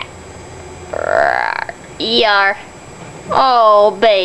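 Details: A pet Amazon parrot gives a short buzzy, wavering note, then two loud, harsh, dog-like barks about a second apart.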